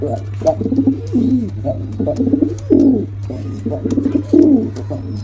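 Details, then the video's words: Pigeons, male and female, give a run of short bubbling coos, each a low throaty phrase, roughly every half second to a second, over a constant low hum. "Male & Female Pigeon Combo Attacks Sound"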